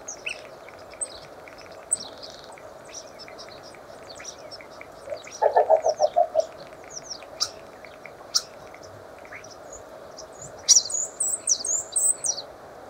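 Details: Common starling (Sturnus vulgaris) in a varied chattering run of clicks, squeaks and high chirps, with a fast buzzy rattle midway and a burst of sharp, rapid notes near the end.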